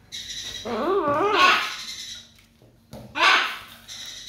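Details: A macaw (harlequin, green-winged or blue-and-gold) gives a wavering, nasal cry that breaks into a harsh, raspy squawk, then a second loud squawk about two seconds later, with faint background noise.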